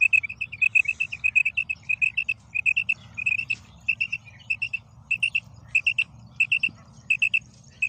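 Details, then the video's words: Female quail producing a fast run of crisp, paired high calls, repeated almost continuously against a steady low hum. "Female Batair Sound / مادہ بٹیر کی مختلف قسم کی کرک"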